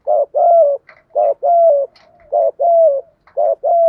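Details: Decoy spotted dove cooing persistently to goad wild doves. Three doubled coos, each a clipped note then a drawn-out, gently falling hoot, with faint soft notes between phrases.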